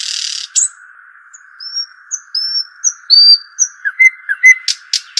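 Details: Arabian babbler: a harsh buzzy noise opens, followed by a series of clear high whistled notes and then quick chirps and sharp clicks, against a steady low hum.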